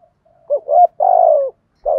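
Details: Decoy spotted dove cooing to provoke wild doves. Brief fragment: a couple of short soft notes, one long drawn-out mellow coo, then the start of another.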